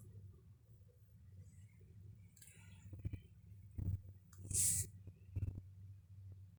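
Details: A grey parrot that is still learning English utters a few short, speech-like words, with "hello" and "how are you" said nearby, and a breathy hiss in quick bursts over a steady low indoor hum.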